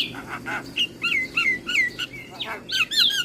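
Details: Javan myna singing to lure other starlings, giving a series of short whistled notes that drop in pitch, repeated roughly three times a second, with some harsher chatter at the start and end.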